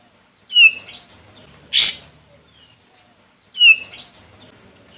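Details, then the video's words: Olive-winged bulbul, a lure recording for calling a rival: a bright whistled phrase with short trailing notes, one rasping burst, then the whistled phrase again. "Suara Burung Kapas Tembak Manggil Lawan"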